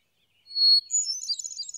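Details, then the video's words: A hermit thrush in the USA sings one long, pure whistled note, then a quick, higher tumble of flutey, ringing notes, with no other sounds intruding. "kicauan hermit thrush"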